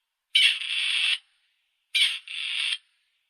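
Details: Two grating, creaking calls from a Grey Partridge, each just under a second with a short break in the middle, spaced about one and a half seconds apart in silence.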